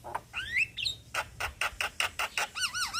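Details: A male Javan myna calls its young companions with rising slurred whistles, then a steady series of harsh buzzy chacks, ending in a string of wavy, looping whistles.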